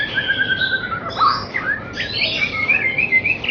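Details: Young white-rumped shama played to build confidence before a singing contest: a run of clear whistled notes, some held and level, others sliding up and down, with bright twittering phrases toward the end.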